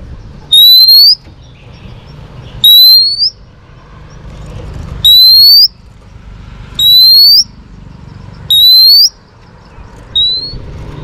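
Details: Female Oriental magpie-robin whistling to spur on males, for training: loud, high, upward-sliding whistles repeated about every two seconds, six in all, with faint low background hum between them.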